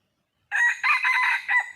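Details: Red junglefowl in the wild, said to be a hen calling to find a male, gives a single strident crow. A short first note is followed by a long middle phrase and a clipped final note, all clear and close.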